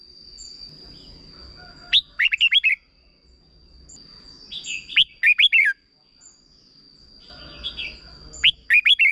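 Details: Short 'double' song of a red-whiskered bulbul, played so young birds pick it up: three bursts of rapid, slurred whistles, each phrase of four or five notes, with a constant high electronic whine and a soft murmur between phrases.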